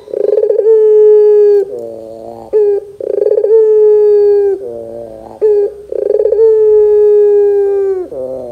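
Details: Loud Barbary dove calls used to make young doves respond: three rounds of a throbbing trill leading into a long sustained coo, each ending in a quieter lower descending phrase and a brief sharp note.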